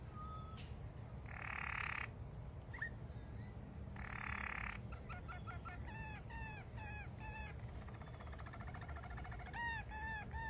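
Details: Malinois canary song amid bursts of hissing noise: short sharp notes, then a run of repeated hooked whistles, a soft rolling trill, and more arched whistles at the close.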